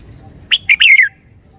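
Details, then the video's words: Caged red-whiskered bulbul singing one clear, emphasized phrase: two short bright chirps followed by a longer warbled note that slurs downward, the whole phrase lasting about half a second against a quiet background. "นกกรงหัวจุก 535 จ้าวคำหมาน ชัดเจนเน้นทุกดอก"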